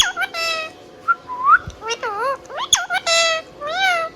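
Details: Whistling and chirping Indian ringneck parrot. Clear looping, wavy notes rise and fall, with a few thin rising whistles and quick sharp clicks in between, delivered in an uneven, chatty sequence.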